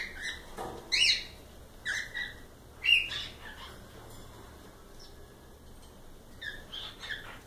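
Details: Pet cockatiels give short whistled chirps and a few sharper squawks, irregularly spaced about a second apart, then a quieter stretch before faint calls resume.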